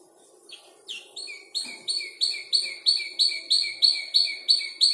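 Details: Five-month-old canary, a young bird still arranging its song from copied calls of other birds, delivers repeated high, rapid notes about three per second after a soft start, each phrase a bright double-layered chirp.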